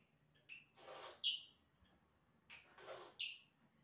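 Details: Singing yellow-rumped cacique imitating other sounds, giving two matching phrases, each a short whistle, a loud harsh rasp, and then a high whistled note.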